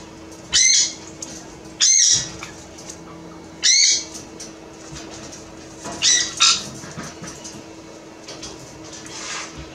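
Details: A young, unrelated pair of white-bellied caiques give five harsh, shrill screeches, spaced irregularly over ten seconds, some doubled, over a faint steady electrical hum.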